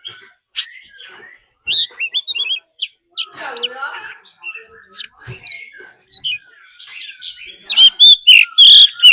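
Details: Decoy Oriental magpie-robin's fighting song with a wild female calling, used to excite birds; sparse soft whistles and scratchy notes, then a loud run of bright whistled phrases in the last seconds.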